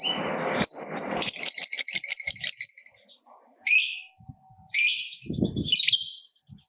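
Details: Lovebird, a fighter-type bird kept to prompt other lovebirds into calling, gives a run of rapid dry ticking notes, then three harsh rasping screeches separated by pauses, with a rough low rumble at the start.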